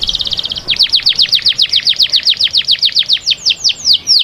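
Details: Song of a canary for preparing females to breed: a brief high rolling trill followed by a steady series of sharp downslurred whistles, about five per second, clear and loud.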